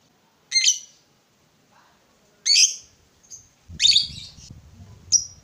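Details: Lovebird squawks from a recording meant to rouse a silent lovebird: three harsh, separate screechy calls about two seconds apart and a brief thin squeak, with a low rumble near the end.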